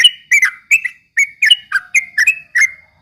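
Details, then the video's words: Trucuk ropel song aimed at stirring rival birds: a tight string of bright chirps and brief slurred whistles, about three notes each second, with no other sounds. "kicau suara trucuk ropel memancing emosi lawan"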